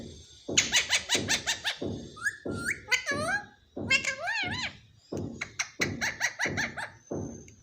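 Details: A talking parrot, said to say "mummy mummy". Wavering, warbling speech-like tonal phrases rise and fall through the middle of the clip, with steady rhythmic thumping beats and clipped chirps throughout.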